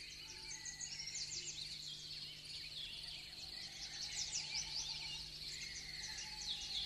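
Lesser whitethroat song: quick, scratchy high warbling with short chattering phrases, over a steady low hum and a faint background of other birds.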